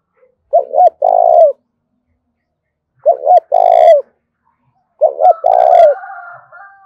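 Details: Three spotted dove coo phrases, about two seconds apart, in the 'thổ đồng' voice style for stimulating calling; each is a short double note and a longer coo, the last followed by a wavering higher tone.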